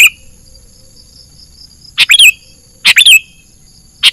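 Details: Sooty-headed bulbul lure call for trapping in the wild: after a quiet pause, two bright phrases of quick notes ending in a falling whistle, then another starting at the end.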